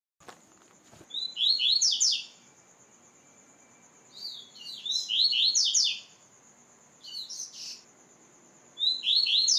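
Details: Caged white-throated seedeater singing during training: loud bursts of sweet, rapid descending whistled phrases with buzzy notes, about four phrases separated by short pauses, over a steady high thin tone in the background.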